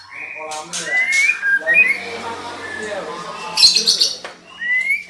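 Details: A female white-rumped shama calls to prompt a male's singing, with short upslurred whistles, a raspy nasal note, a burst of harsh chatter, then another rising whistle.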